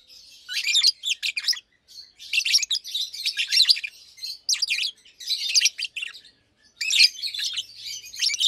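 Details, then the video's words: Two healthy adult Fischer's lovebirds, blue and pastel green, nearly two years old, sing during the day with dense, shrill chattering chirps, repeated in rapid bursts with brief gaps between phrases. "Lovebirds Chirping, Lovebirds Singing - Two Agapornis Fischeri"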